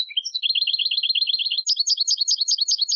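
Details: Clean recording of a European goldfinch song: an opening whistle slurring down, then a rapid, even trill of doubled chirps, then a higher, slower phrase of sharp tinkling notes repeated about eight times. No background noise.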